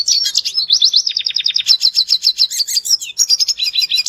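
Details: Red siskin song used as a lure for other birds: high, rapid run of repeated clipped notes forming trills, then twittering chatter and buzzy phrases in a continuous stream.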